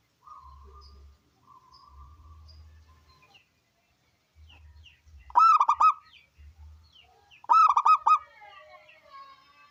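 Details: A local zebra dove with a big voice sings, its song used to coax other doves to sing. Two stuttering cooing phrases about two seconds apart, each a bubbling run of rapid beats, over faint rumbling and soft background coos.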